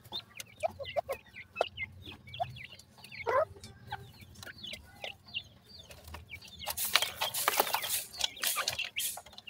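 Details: Francolin chicks in summer, described as happy, give many short, high peeps that rise and fall, scattered densely through the clip. Loud scratchy rustling and handling noise takes over near the end.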